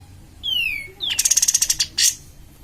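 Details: Cream-vented bulbul singing actively, used as a lure to stimulate other birds: a high whistle slurring downward, a second short down-slur, then a rapid buzzy series of about a dozen repeated notes ending in a harsh burst.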